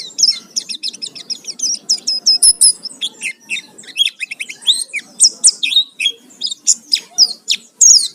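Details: Vigorous Oriental white-eye song full of fill-in phrases, used as a lure to provoke singing: quick series of crisp high chirps, then separate loud, sharply slurred whistled notes spaced about half a second apart.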